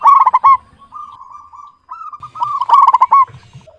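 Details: Zebra dove of local stock, actively singing with a clear tone: strong trilled coo bursts at start and end, joined by a long, even, soft bubbling run.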